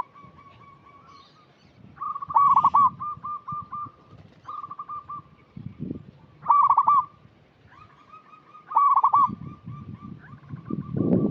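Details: Zebra dove of a local strain singing as a lure for unschooled birds: four loud, rapid, rolling coo phrases separated by strings of softer even coos, with low rumbling noise toward the end.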